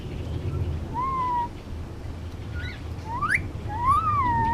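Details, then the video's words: Male Indian ringneck parakeet, almost two years old, hand-raised on Oahu, Hawaii, giving a few clear whistled notes that rise and then fall, with one sharp upward sweep, over a low room hum. "Indian ringneck talking and making noises"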